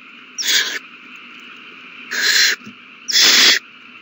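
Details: Nestling owls fed a big meal on 27 March 2020; three coarse, breathy screeches, the last the loudest, coming roughly once a second with humming background between.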